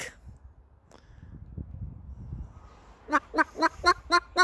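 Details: A Moluccan cockatoo imitating a chicken gives a quick run of six harsh, harmonic clucks, about four per second, like a chicken's bawk, after a few seconds of quiet room noise.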